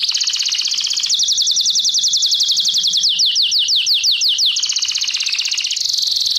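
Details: Canary song from a training lesson: a rapid high buzzy trill shifting into a long run of quick descending whistled strokes, then more fast rolling trills, continuous and loud throughout.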